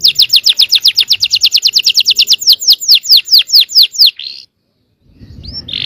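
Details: Yellow canary song meant to trigger other canaries to sing: a long rapid series of sharp downslurred notes, about five per second, ending in a short buzz, a pause, then a faint rising whistle.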